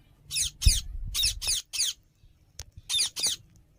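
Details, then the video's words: Indian ringneck parakeet playing with companions: a run of grating, scratchy screeches, several in quick succession, then a pause and two more, over a low rumbling indoor background with soft thumps; no distinct speech. "Parrot talking and playing with friends"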